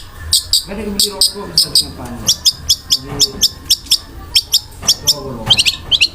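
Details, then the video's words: Long-tailed shrike (cendet) in full gacor song with harsh kasaran fill and rapid tembakan rolls: short sharp high notes repeated about three times a second, with lower chattering phrases underneath. "BURUNG CENDET GACOR MEWAH ISIAN KASARAN DAN TEMBAKAN ROLL SPEED"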